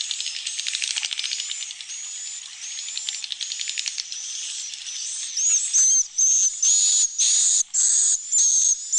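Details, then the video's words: Swiftlet roosting call used in swiftlet house roosting rooms to make the birds feel safe, like a flock nearby from chicks to adults; dense high buzzy chirps, rapid at first, then longer harsh buzzes with thin whistled tones. "Suara Inap Burung Walet"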